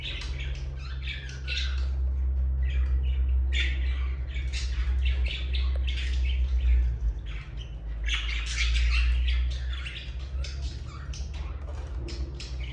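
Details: Morning chorus of pet budgies: many overlapping raspy warbles, squeaky chirps and harsh squawks coming in waves, with a constant deep droning hum underneath.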